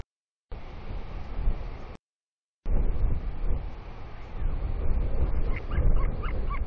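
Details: Male royal albatross at the nest feeding his large fluffy chick, making unusual sounds while regurgitating squid paste, 15 March 2020. Short harmonic yelping notes come in a quick cluster near the end over heavy wind rumble, with brief dropouts.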